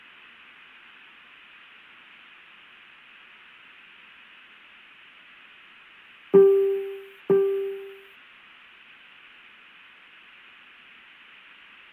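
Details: Steady background hiss throughout, broken just past the middle by two loud, evenly pitched piano-like notes struck about a second apart, each fading slowly.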